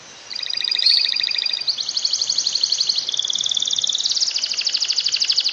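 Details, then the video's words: Canary song used as a tutor recording to push lazy canaries into singing: fast, even, high trills in several sections, each run of repeated notes stepping to a new pitch level, continuous throughout. "Kenari yang malas bunyi pasti ngekek dengar kicau spesial ini"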